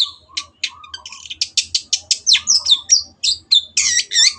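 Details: Long-tailed shrike singing actively as a tutor for caged birds: a fast stream of sharp, clipped notes that builds into whistled, slurred twisting phrases and scratchy bursts, over a faint low hum.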